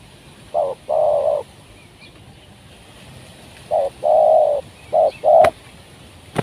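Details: Spotted dove heard during an outing luring wild doves with a trained decoy bird, which brought one down. Two phrases of a short coo then a long low coo, the second followed by two more short coos, with a couple of clicks.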